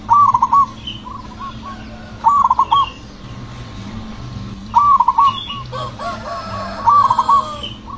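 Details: Zebra dove with a loud, mellow, aggressive delivery repeats short rolling coo phrases four times over eight seconds in the 'ngepat' rhythm used to provoke other zebra doves to sing; faint doves call in between.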